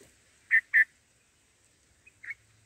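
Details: Black-headed bulbul chicks in the nest being fed by a parent on their first day: two quick, sharp, squeaky high notes close together, then a single fainter squeak after a pause, in a quiet setting.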